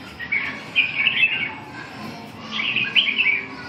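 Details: Red-whiskered bulbul singing, two bursts of bright warbled phrases around 0.3–1.5 and 2.6–3.3 seconds, lively and chattering, over a faint steady background hiss.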